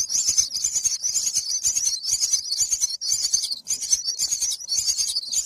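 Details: Myna chicks in the nest give harsh, wheezy, high begging calls in rapid overlapping bursts, several each second, as a parent feeds them a bullfrog.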